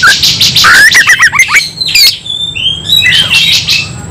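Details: White-rumped shama in a fighting bout, harsh buzzy bursts, a run of quick rising whistles, then clear sustained whistled notes.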